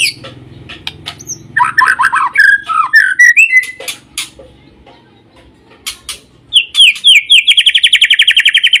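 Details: White-rumped shama singing a varied string of whistled and chattering phrases, sliding notes and sharp clicks, ending in a fast, even run of bright repeated notes, about four per second.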